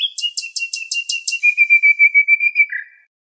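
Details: Nightingale song: a rapid rattle of about eight buzzy notes over a steady tone, then a long pure whistle with a throbbing pulse, ending in a lower note.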